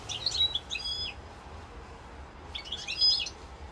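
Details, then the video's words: European goldfinch song, described as 'rosse corse', recorded on 7 November 2022: two quick bursts of bright, tinkling twitters and trills, each about half a second long and separated by a pause, over a low steady hum. "chant chardonneret rosse corse"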